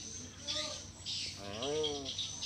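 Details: Common hill myna of Indonesia speaking back in imitation of a human voice: a brief low syllable, then a longer harmonic, voice-like sound that swells upward and sinks, with steady hiss behind.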